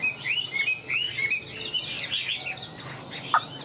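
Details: Chinese hwamei in a cage, tail fanned in display, gives a few loud slurred whistles that rise then fall, followed by quieter warbling and a couple of sharp clicks near the end.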